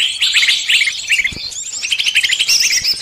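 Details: Lure track meant to draw in every kind of bird for trapping, made of busy, overlapping high chirps and sharp tweets that run without a break and rise and fall unevenly.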